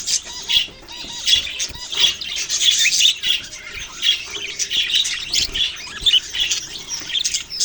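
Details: A group of budgies chatters steadily in November 2023. Overlapping high chirps and squeaky warbles pulse in short bursts roughly every half second, with a few faint lower tones beneath.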